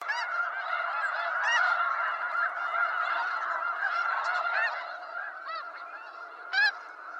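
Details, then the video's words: Wild snow geese, a North American goose species, calling as a dense flock: continuous overlapping nasal honks, many birds at once, with occasional louder single honks standing out near the end. "Snow Goose Bird Sounds"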